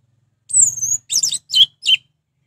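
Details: Orange-headed thrush, its song played to rouse other thrushes into calling: a long high whistle sliding down, then three quick bursts of harsh, dense warbling notes, with a faint low hum beneath.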